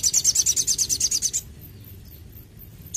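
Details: A crimson sunbird given intensive care delivers a rapid, evenly pulsed high trill of about a dozen notes over one and a half seconds, then a single sharp chip after a pause.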